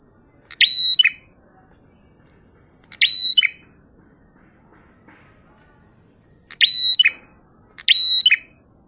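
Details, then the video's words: Prinia song in ngalun style with four phrases at uneven gaps of one to three and a half seconds. Each is a sharp onset, a long level high whistle and a short falling tail, with a constant hiss. "Prenjak Gacor Ngalun Syahdu"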